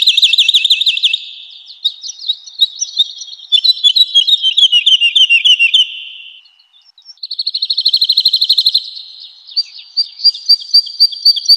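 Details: Woodlark in song in a spring forest, long flowing strophes of rapid liquid trills that step down in pitch, a short silence, then a fresh fast, even trill and softer repeated notes; clean recording without other birds.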